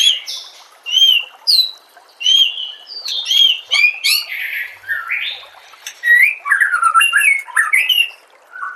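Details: White-rumped shama song from a masteran training compilation: clear, ringing whistles given one by one at first, then a quickening flow of slurred, warbled phrases and sharp chips.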